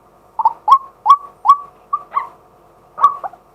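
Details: A male white-breasted waterhen calls as a decoy in daylight, recorded live. Six or seven short, rough notes come about every half second, each with a brief upward slur, followed by a pause and a final pair.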